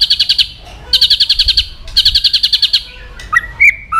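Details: White-rumped shama song for provoking aggression: three rapid trilled bursts of high repeated notes, then a few separate slurred whistles.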